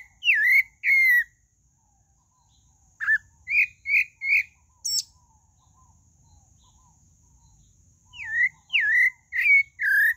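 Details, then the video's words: Pale-breasted thrush singing: clusters of short whistled notes, some rising and some falling, delivered in quick bursts of three to five with a long silent gap between groups. "Sabiá do Barranco: Um Conto Encantador"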